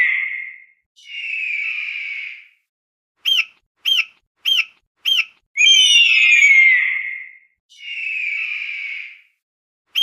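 An eagle gives long, harsh, high screeches that slide downward, broken by a run of four short, sharp piping notes. Nothing else is heard.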